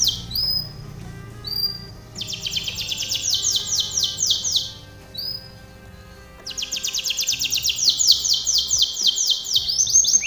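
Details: Canary training song: short high whistled notes, then two long rolling trills of quick falling notes, separated by a brief pause with soft chirps.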